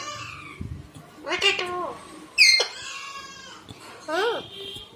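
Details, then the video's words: Two pet parrots at home in August 2019 chattering: layered harmonic, speech-like phrases, one sharp high squawk in the middle, then a short arched call, with soft room noise behind. "Mithu Ki pyari Baate"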